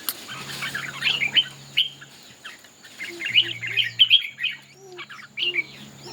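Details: Red-whiskered bulbuls in a singing contest, showing off their display: bursts of clear, warbled and chattering phrases, with a steady low hum underneath.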